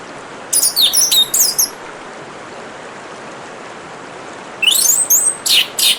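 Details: Orange-headed thrush singing over a steady hiss of running water: two bursts of quick, high, chirpy notes about four seconds apart, separated by a gap where only the water is heard.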